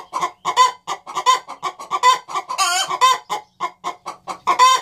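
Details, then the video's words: Hens on the nest box in a cackling duet, neither having yet laid an egg, banjo music added. Quick repeated clucks with occasional higher accented notes and one long hoarse squawk midway. "Cackling duet - two musical hens singing on the nest box"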